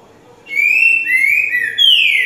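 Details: Green-winged saltator of the slow "boca mole com boi" song type, used for teaching chicks. It sings a loud, clear whistled phrase of three slurred notes in about two seconds, bright and high, over a quiet background.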